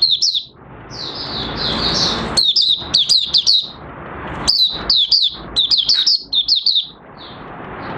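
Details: Oriental white-eye, mata puteh raja, opening song on 30 August 2022 as fresh white feathers near full colour; high twittering and slurred notes in quick runs, with background hiss rising between phrases.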